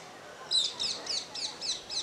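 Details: Rose-ringed parakeet, one of two birds interacting playfully on a terrace: a run of six short, high, sharp chirps, evenly spaced about every third of a second, over a quiet background.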